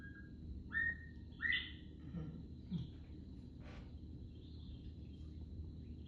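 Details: Northern Bobwhite, a Katy Prairie grassland summer resident in Texas that sings all summer, gives its clear whistled 'bob-white': short low notes, then a sharply rising final whistle, over a steady low room hum.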